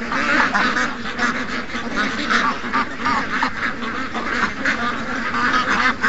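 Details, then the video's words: Ducks and geese, over 700 birds, in their morning rush of August 12th, 2015, quacking in a busy pulsing chorus with sharper single quacks punctuating it. "700+ Ducks & Geese Morning Rush"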